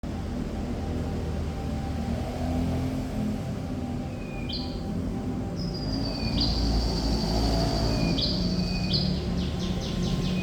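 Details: Thrush nightingale, known locally as sikatan londo, singing actively: sparse, clear whistled notes at differing pitches, a long level whistle and a short rattling series, over a loud steady low rumble.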